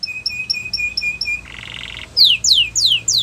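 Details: Russian canary flute singing: a row of short evenly spaced piping notes, then a brief buzzy rattle, followed by loud descending whistled swoops repeated about every third of a second.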